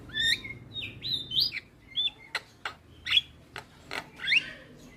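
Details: Lure song of a Javan myna, played to coax a silent bird into singing: a varied mix of short whistled slurs, rising and falling squeaky notes and hard clicks, about one phrase per second.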